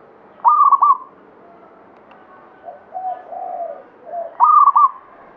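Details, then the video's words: Banyumili katuranggan local zebra dove giving two sharp, trilling cooed phrases four seconds apart, while softer, lower cooing from other doves fills the gap. "SUARA PERKUTUT LOKAL KATURANGGAN BANYUMILI GACOR"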